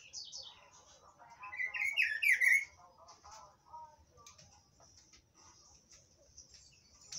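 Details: Rufous-browed peppershrike (pitiguari) giving one loud, rich warbled phrase of rising and falling notes lasting under a second, followed by quieter scattered chirps and faint high ticking sounds in the background.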